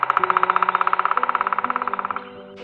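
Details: A black woodpecker in the Baden-Baden city forest drums, as it does in courtship season, a fast, even roll of about thirty-five hollow knocks in two seconds, fading toward the end, over a low steady hum.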